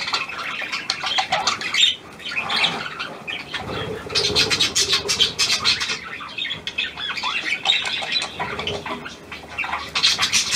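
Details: Pied budgerigar, hand-tame and newly acquired, 17 February 2023, chattering continuously in bright scratchy bursts of high notes, pausing briefly now and then before resuming the warble.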